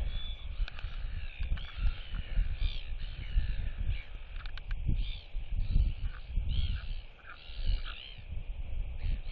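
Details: Royal albatross female displays to chicks at a neighbouring nest, whistling as the neighbours clack at her; several short arched whistles and occasional clacks sound faintly through strong, roaring wind.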